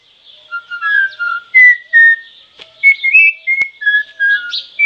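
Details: A troupial whistles a string of short, pure notes at shifting pitches, a few sliding up or down, in uneven rhythm, with faint clicks and a steady high hiss behind.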